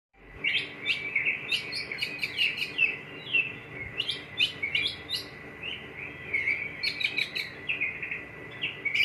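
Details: White-rumped shama from Jogja singing a rich, varied run of sharp chirps and whistled notes, phrases bunched in quick bursts high in pitch, with a steady faint hum beneath.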